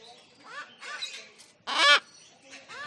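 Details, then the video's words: Cockatoo giving one loud, harsh, ringing screech near the middle, surrounded by softer raspy chattering notes with rising and falling inflections. "Cockatoo Bird Sound"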